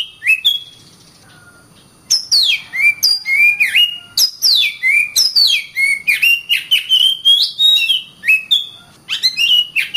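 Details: Recording of an Oriental magpie-robin singing as a model for other birds: a couple of phrases, a two-second pause, then a long run of falling whistles and quick chirps.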